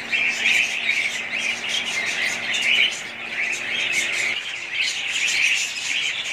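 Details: Budgerigars chatter in a thick chorus of high, twittering and slightly buzzy notes that rise and fall in loudness without stopping.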